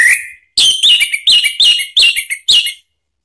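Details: Orange-headed thrush; song; provoking another bird to sing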